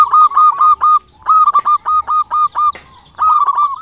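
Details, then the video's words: Local zebra dove, actively singing with a clear voice, a lure to make other doves respond; loud, evenly spaced staccato coos in quick rolling runs, a brief pause, then another run. "PERKUTUT LOKAL GACOR SUARA KRISTAL - Pancingan perkutut bikin cepat nyaut"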